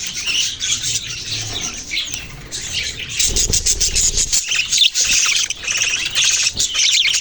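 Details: Budgerigars chirping: a dense, continuous chatter of rapid high twittering notes and warbles from several birds at once, with a brief low rumble near the middle.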